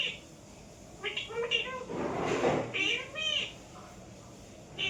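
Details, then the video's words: Pet parrot calling indoors: a few short nasal, speech-like phrases, then a loud rustling or cupboard-like noise in the middle and more bright chattering notes after it. "parrot sound"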